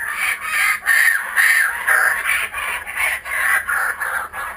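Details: Kookaburras, back at a home in Australia, giving their loud laughing chorus: harsh, rolling cackles in rapid bursts roughly twice a second, rising and falling in pulses.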